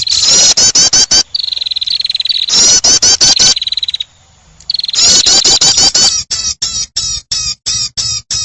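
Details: Trapping lure of a prinia: loud scratchy chatter alternating with a long thin high whistle, repeated twice, ending in a steady series of sharp, evenly spaced chirps.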